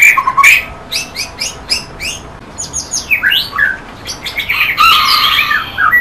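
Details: Varied song of a white-rumped shama, a rapid run of clipped high notes followed by swooping whistles and a rich, warbling flourish near the end.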